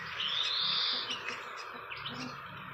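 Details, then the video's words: Single drawn-out high whistle from a fantail at its nest in the wild, level then fading, followed by faint chirps against steady background hiss. "Indahnya Sarang burung kipasan di alam liar"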